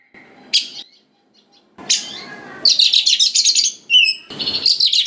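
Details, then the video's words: Oriental magpie-robin in full voice, a lure to provoke young wild-caught birds into replying: scattered sharp notes, then a rapid buzzy rattle of pulses and a clear whistle, with some broadband rustling. "Pancingan Suara Dasar Kacer Gacor Cocok Sekali Untuk Pendongkrak Emosi Kacer Muda Hutan Agar Nyaut"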